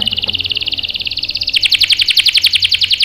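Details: Canary song used as a lure to provoke male canaries into singing back: a rapid, even trill of high notes that turns louder and harsher halfway through, with bright overtones, about four notes per second.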